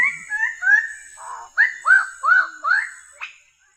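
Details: Bird-of-paradise song of slurred whistled notes, then a run of five loud rising-and-falling whistles about every four tenths of a second, ending with a short buzzy note, above a faint high tone.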